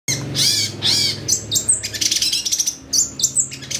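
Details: Long-tailed shrike used as a lure to make a shrike sing excitedly: loud, harsh, rasping bursts, two strong scratchy notes followed by rapid chattering fragments, over a steady low hum.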